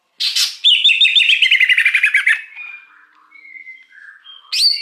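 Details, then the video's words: A wild greater green leafbird, recorded as a lure for wild birds, gives a quick buzzy note, then a fast trill of slurred notes sliding gradually lower, followed by soft drawn-out tones and a sharp chirp. "Suara Pikat Cucak Hijau Liar"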